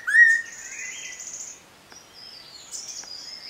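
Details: Spotted laughingthrush (Garrulax ocellatus) at Eaglenest Wildlife Sanctuary in the Himalayas giving a loud, sharp whistled note that slides upward, followed by thinner high whistles and a falling slur.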